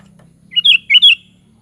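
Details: Sooty-headed bulbul (kutilang) giving a chirpy phrase of two paired notes, liquid and slurred, with a short gap between the pairs; faint low hum behind.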